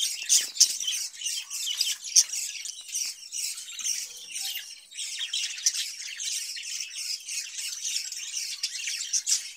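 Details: In their cage, budgerigars given summer cucumber produce steady, overlapping high twittering and scratchy warbles, with a few sharp squeaks at the beginning over the continuous flock chatter.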